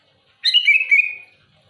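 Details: Single loud phrase from a sooty-headed bulbul challenging rival birds, a quick burst of notes flowing into a warbled, slowly falling whistle lasting under a second.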